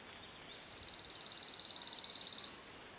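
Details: Tooth-billed wren giving a high, thin, even trill of rapid identical notes lasting about two seconds, steady in pitch, over a faint constant high hiss.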